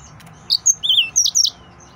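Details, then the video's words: Excited male yellow-fronted canary, Mozambique type, singing: five quick, high whistled notes in a burst, some slurred downward, with a short lower warble in the middle and quiet surroundings. "تغريد مرعب سورا الموزمبيقي"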